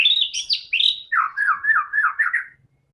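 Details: Singing white-rumped shama, played to spur other shamas into song: a few high clear whistles open the phrase, then a fast chain of lower, warbling, looping notes that ends abruptly.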